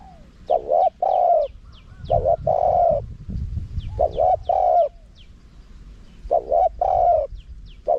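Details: Forest karam style of the spotted dove, small voice, with khat and nun phrases, used for luring wild birds. Four low cooing phrases of short paired notes and a long held coo, with thin descending chirps behind.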